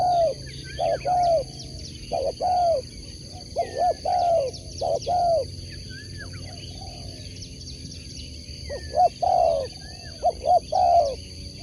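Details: Spotted dove of sport type repeating its song about five times: quick paired hoots then a prolonged descending coo, regular and clear, while small birds twitter faintly in the background.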